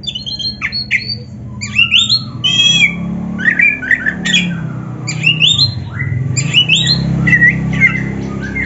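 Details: Oriental magpie-robin singing a full varied song, played to stir kept magpie-robins to answer a rival: harsh squawky notes mixed with short whistled slurs and chattering bursts over a steady low rumbling background.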